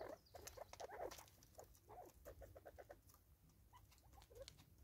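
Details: Natal spurfowl, a group of five eating together in South Africa in 2024, utter low rhythmic notes in brief bursts among many dry clicks of foraging, the notes thinning out toward the end.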